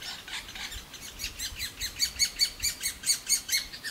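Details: Young great spotted woodpeckers begging loudly for food from a nest hole in a large old aspen while both parents feed them; rapid, high, harsh chirps repeated several times a second, growing louder toward the end.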